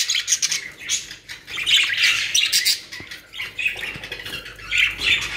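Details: Pet budgerigars kept in Pakistan chatter in rapid, irregular bursts of harsh squawks and high chirps, several birds calling over one another with brief pauses between flurries.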